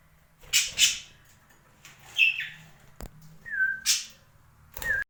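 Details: A parakeet, recorded 26 January 2021, gives short, scratchy chirps and a few clear whistled notes, irregular, about one every second or two, with soft room noise behind.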